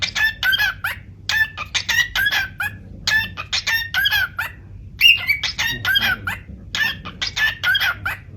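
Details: A cockatiel (Nymphicus hollandicus) sings bright, warbling phrases of rapid chirps and rising whistles, repeated in bursts.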